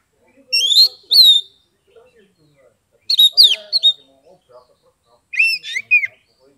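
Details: Caged Oriental magpie-robin (kacer) in Kebumen, Central Java, singing to prompt reluctant birds: three separated bursts of clear slurred whistles, some sweeping upward, with faint low voices murmuring in the background.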